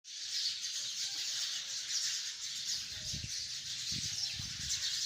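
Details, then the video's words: Hundreds of sparrows gathered in a tree, chirping together in a dense, continuous high-pitched chatter with no pauses; a few soft low thumps near the end. "chirping of hundreds of sparrows in the tree"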